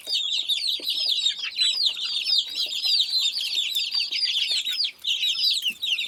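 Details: Chicks of the domestic chicken peeping as a group, with dense overlapping high, shrill, downward-slurred cheeps that continue without pause through the whole recording.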